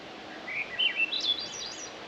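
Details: Swainson's thrush singing on a mountain trail near West Glacier, Glacier National Park, Montana, among blooming wildflowers: a soft, flute-like phrase spiralling upward over about 1.5 seconds, sung quietly so it sounds distant.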